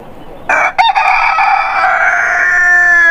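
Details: Rooster of a heritage chicken breed crowing: a single long, loud, harmonic-rich crow rising sharply and then held almost level for over two seconds, ending at the clip's close.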